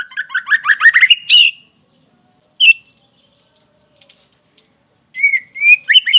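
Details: White-rumped shama, a caged bird, played to provoke another caged shama into energetic singing: rapid run of rich whistled and chattering notes sweeping between mid and high pitch, a sharp rising note, a pause, then fluid whistles resuming.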